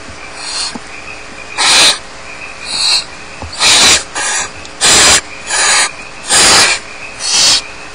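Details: At Starr Ranch, barn owl chicks alone in the nest keep up a rapid series of harsh, breathy begging hisses. About seven loud rasps and some softer ones come every half second to second in an uneven rhythm.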